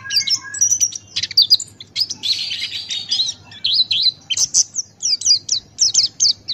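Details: A male Buxton's white-eye (pleci Buxtoni), kept as a master-song bird, sings a fast, high twittering run of thin, sweet chattering notes, then quick slurred phrases repeated in bursts, over a faint low hum.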